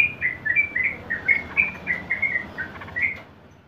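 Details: Ropel-style song of a Sooty-headed bulbul, a tutor recording for caged birds: about a dozen short clear whistles in rapid sequence, alternating higher and lower slurred notes, fading out at the end.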